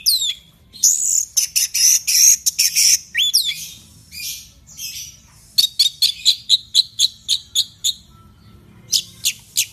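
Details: Orange-headed thrush in energetic 'teler' singing used as a lure for cage birds: dense harsh chatter and swooping whistles, then a fast train of sharp clicking notes, about four a second, ending in a few spaced chirps.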